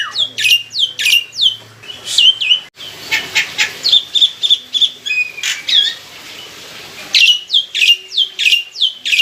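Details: Lure recording of a mature caged black-winged myna with a loud, melodious voice: strings of sharp, downslurred whistled notes about three per second, a burst of harsh rasping chatter in the middle, then the whistled series returns.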